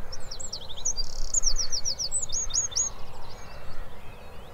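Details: Wren song, loud and trill-packed with a machine-gun rattle: a rapid burst of high, sharp notes and fast rattling trills pouring out for about two seconds, then fading into quieter trailing notes over low background rumble.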